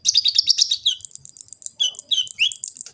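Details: Sunbird called kolibri ninja, recorded in Gresik, East Java, as training song for caged birds: fast high twittering, then thin sustained squeaky notes broken by quick downward and upward slurred whistles.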